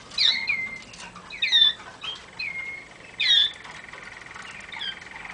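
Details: Waterslager canary song played for training: short clear whistled notes and slurred rising-falling phrases in bursts about a second apart, separated by quiet gaps, with a steady faint background tone.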